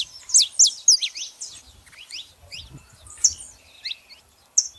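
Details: Female and male saffron finches: a quick volley of sharp, high downward-sweeping chirps at the start, then sparser single notes, with low thuds partway through.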